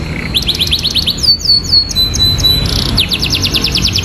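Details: Canary with prinia-style phrasing in its song: a quick series of falling whistles leads into a long, smooth, descending whistled note, then dense rapid trills, all bright and loud over low background hum.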